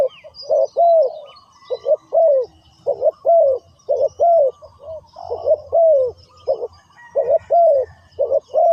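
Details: Spotted dove kept as a trapping decoy, calling wild doves in: a continuous run of deep coos, short stabbing notes mixed with longer downward-bending ones, uneven rhythm, soft chirping of small birds and low rumble beneath.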